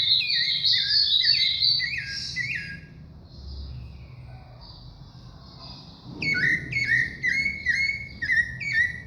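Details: Sabiá thrush song with rich whistled phrases at first, a quiet pause, then a fresh run of quick, clipped, descending whistles repeated at a brisk pace; low hum underneath.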